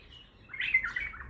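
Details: One short liquid warble from an untrained bulbul of the Baghdadi singing style, a brief whistled note followed by a quick tumbling chatter.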